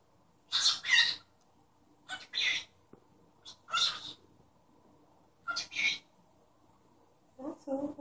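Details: Indoor pet cockatiel talking and copying a human sneeze, giving a string of short breathy, sneeze-like bursts in pairs every second or two, ending with a few lower, more tonal squawky notes.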